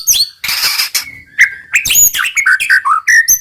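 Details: White-rumped shama singing in the roll tembak style, said to rile rival birds into singing: a varied run of buzzy bursts, sharp rising whistles and quick slurred notes, packed closely together.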